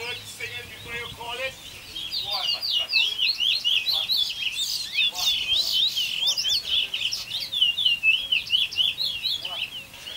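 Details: Competing bullfinch at the 2019 annual whistling contest in Malabar, Arima, Trinidad, delivering a fast, sustained run of sharp, high, warbled whistles, about two notes per second, with brief chatter and voices at the start.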